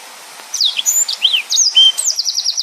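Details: Yellow-fronted canary singing a short phrase of high looping whistles and a final rapid rolling trill after a brief quiet start.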